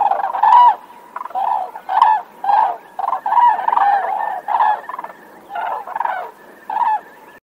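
Loud, rolling trumpet-like calls from a crane, about a dozen rattling bursts given roughly every half second with short pauses between.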